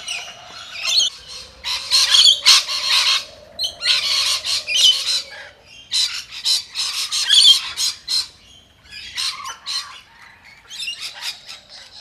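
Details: Flock of rainbow lorikeets scattering in panic from a vulnerable ground feeding spot after a distress signal: harsh, screeching squawks from many birds in dense overlapping bursts, with a low droning tone underneath early on.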